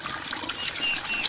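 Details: Thin high-pitched drawn-out whistle from a bar-winged prinia, part of a male and female answering one another, held steady in short linked pieces under faint background hiss.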